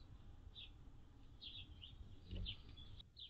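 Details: Anna's hummingbird on June 7, 2022, a day with a high of 76F and a low of 51F, giving thin, high, squeaky chips in short bursts, about one every half second, over a steady low rumble of wind or traffic.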